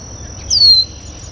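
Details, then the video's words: Red-winged blackbird at a local water basin, close up; one clear, high, downslurred whistle lasting about a third of a second over a faint steady high tone and quiet background. "Red-winged Blackbird Sounds (Agelaius phoeniceus)"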